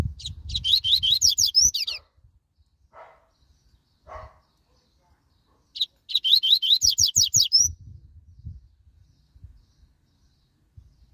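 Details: Double-collared seedeater, called a quick, spirited singer, gives two bursts of rapid high twittering phrases, each a chain of fast slurred notes ending in a rising whistle, with quiet pauses and soft low knocks between.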